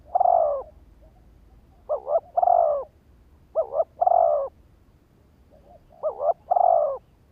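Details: Spotted dove kept as a lure bird to trigger wild males, cooing in a steady cycle of a clipped two-note coo and a long mellow note, three phrases with brief pauses between.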